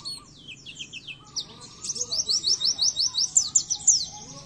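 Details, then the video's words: Pleci, or Oriental white-eye, in a masteran recording made for caged birds to learn from. After a brief twitter, a run of rapid, evenly repeated high chirps follows, about three per second, bright and sharp. "masteran burung pleci"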